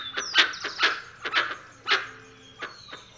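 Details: Irregular harsh barks from a dusky-legged guan, spaced unevenly and fading toward the end, mixed with high thin whistles and lower whistled notes from other birds.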